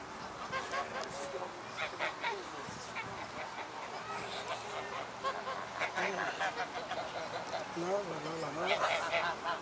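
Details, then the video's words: Geese by a pond at Chevreuse in September 2018, giving scattered nasal honks amid a busy background of overlapping chatter, with human voices also audible. "Geese by a pond"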